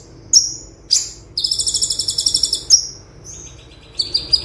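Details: Olive-backed sunbird, known locally as konin, singing in the tembakan style as a tutor recording. Piercing high downslurred notes lead into a long buzzy rattle, then a lower rapid trill near the end.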